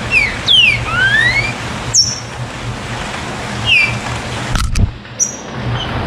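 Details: Green-winged saltator song used to stimulate captive birds to sing: clear, slurred whistles sweeping up and down, a quick cluster first and then single notes every second or two, over a low traffic rumble.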